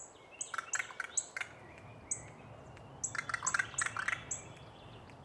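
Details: Crow calling from a tree in a backyard in Raleigh, North Carolina: two clusters of harsh, rasping notes, one brief and one longer, set against steady high ticking chirps from other small callers.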